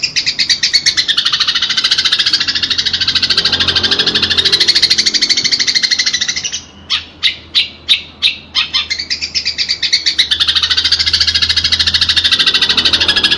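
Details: Fighting house sparrows, a recording meant for tutoring pet birds: continuous harsh, fast chattering, interrupted midway by a string of distinct sharp chirps before the dense chatter returns.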